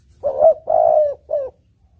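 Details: Spotted dove, known locally as tekukur, singing a clear melodious song used as a lure for trapping: three low hollow coos, the middle one longest, in a quiet setting.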